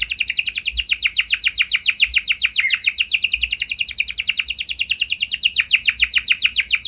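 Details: Lively canary lure song to spark singing in other canaries. Uninterrupted high trill of quick, descending chirps at about three or four per second, bright and even throughout.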